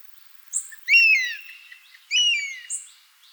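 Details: Wild buzzard in natural habitat giving two loud, descending, slurred cries about a second apart, with short high-pitched notes from small birds before and between them.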